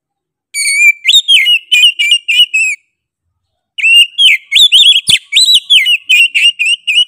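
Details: Oriental magpie-robin singing vigorously and insistently with a sharp voice. It gives a quick run of clear whistled notes, many bending up and down. A pause follows, then a longer burst of rapid whistled phrases, with a few clicks in between.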